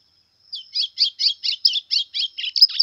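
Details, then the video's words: A white-throated seedeater in brown plumage singing heavily in the pressão style. It gives about ten evenly spaced, scratchy high notes, roughly four per second, the last ones louder and dipping. A constant faint high whine sits behind it. "Golinha Pressão pardo cantando muito!"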